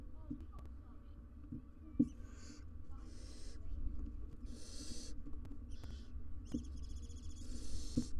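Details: Wild barn owls in a nest box, mother, father and three nestlings, on live camera: a series of breathy hisses, some chattering and stuttered, growing louder and closer together, with occasional clicks and low hum.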